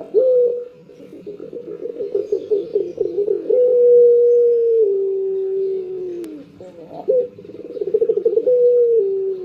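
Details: Barbary dove, a kept cage bird, cooing in the morning: repeated throaty rolling purrs alternate with long, sustained, gradually falling tones, the sequence beginning again after a brief break.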